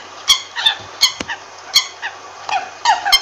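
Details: American coot giving a series of short, harsh, nasal honking calls with rich harmonics, irregularly spaced, some overlapping, roughly a dozen notes in a few seconds over a low steady hum.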